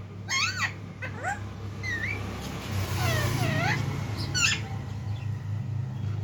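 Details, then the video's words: Talking parrots indoors give a run of rising and falling harmonic calls, some in quick pairs, with a soft drawn-out wavering sound in the middle and a steady hum underneath. "बोलने वाला तोता.. talking parrots"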